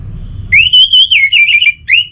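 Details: A loud, short Orange-headed thrush phrase used to prompt other thrushes to sing. A smooth rising whistle breaks into quick warbling notes, followed by a brief upward-slurred note.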